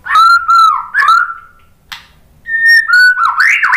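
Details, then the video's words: Song of a white-rumped shama used to lure other birds into singing: pure, sustained whistles falling gently in pitch, a short pause, then further clear whistles ending in a rising slur. "KICAUAN MURAI BATU bikin NYAUT jadi GACOR NGEPLONG BONGKAR MATERI ISIAN ¦ PANCINGAN MURAI"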